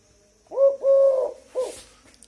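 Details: Tame Eurasian collared dove calling indoors around 8 pm, said to call all night: a three-note coo, a short soft note, a long even middle coo, then a brief final note, low and hollow, in a quiet room.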